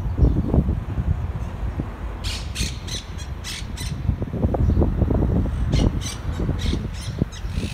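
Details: Monk parakeet in Malaga, Spain, outside an apartment: a run of harsh, grating squawks in quick bursts over a steady low rumble of traffic.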